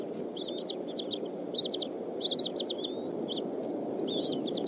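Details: Eagles at a nest during the evening meal on 17 May 2014, between 5:19 and 6:25 pm, as the father brings fish for the young. Bursts of high, rapid chittering notes come in clusters about a second apart over steady background noise.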